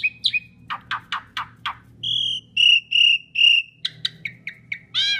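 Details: Asian pied starling song used as a lure for other birds: sharp sweeping clicks, then three long pure whistles, followed by short falling chirps and a final harsh note.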